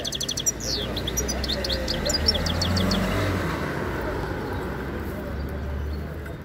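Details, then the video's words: A European goldfinch sings, twittering in quick, high, tinkling bursts for about three seconds, then fading under a low engine rumble and brief voices. "JILGUERO COJIENDO CANTE"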